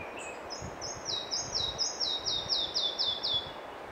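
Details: Red-breasted flycatcher singing at Kosaře: a bright run of clear whistled notes, each sliding downward, repeated about twice a second and fairly even in rhythm over a soft background hiss.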